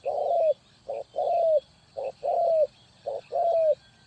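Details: ['Spotted dove calling to lure birds into a trap: three pairs of a short clipped coo followed by a longer, gently falling croo, evenly spaced.']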